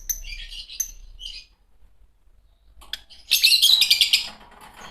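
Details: Green Fischer's lovebird pair: soft, buzzy, high chirps at first, then a pause, then a loud, rapid burst of shrill, rasping chatter.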